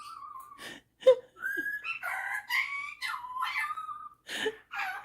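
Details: Indoor pet superb parrot, a male, singing and mimicking: a flat whistled tone, a few sharp clicks, then a series of mellow harmonic whistles and slurred warbles.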